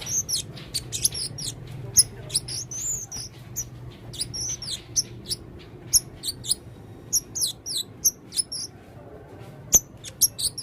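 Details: A male blue-crowned hanging parrot singing eagerly through a full repertoire. Bursts of thin, piercing high chips and short twittering runs come in irregular groups, with a faint low hum beneath.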